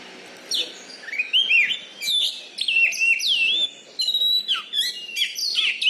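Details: Loud-voiced Oriental magpie-robin, a caged contest champion from Bengkulu, Indonesia: sweet looping whistles, rising and falling slurs and quick chirps run almost continuously, with a short sustained high note midway.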